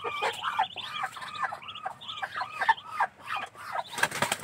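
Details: Ducklings kept in a cage, calling with a steady run of arched, piping peeps in quick succession, several birds overlapping, then a rustling clatter near the end.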